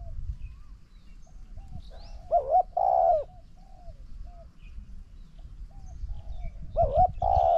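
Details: Spotted dove cooing as a decoy bird answers a strong-cooing wild bird. Soft distant coos between two loud phrases, each a rising-falling coo followed by a long level croo, about four and a half seconds apart.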